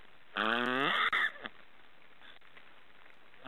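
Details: Black storks snoring: one loud, nasal, harmonic call lasting about a second, slightly rising and ending in a raspy burst, followed by a faint click and quiet background.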